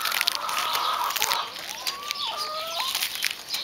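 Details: White Silkie chickens; a thin, tonal call glides and wavers in pitch for about two seconds, with a dip and a rise near the end, over a steady hiss and scattered clicks.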